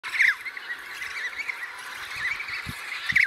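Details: Baby emperor penguin chick giving short high chirps, a bright rising-falling one at the start and another at the end, over a steady hiss of wind-like background noise.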